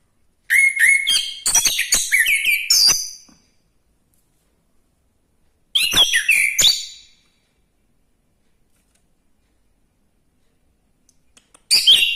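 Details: Orange-headed thrush singing vigorously: three bursts of rich, fast-changing whistled and chattering phrases, high and varied, separated by several seconds of silence.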